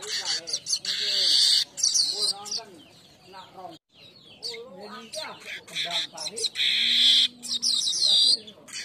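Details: Weaver song played as lure and master material for training birds: bursts of dry chatter alternate with long, hissing, buzzy sizzles, the loudest near the start and near the end; faint voice-like tones in the background.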